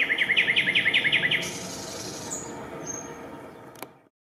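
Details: Eurasian coot nest with chicks at Raszyn ponds, Warsaw, Poland, 4 May 2024: a rapid, even series of about twelve short, grating notes over a second and a half, then fading pond ambience with a faint high whistle.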